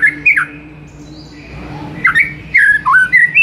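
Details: Master song of a white-rumped shama, used to excite a silent bird: scattered slurred whistles, a faint thin tone mid-way, then a run of clear rising and falling notes.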